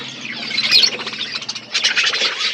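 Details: Outdoor aviary budgerigars chatter while eating: rapid high twittering in two bursts, bright clipped chirps layered over a faint low drone.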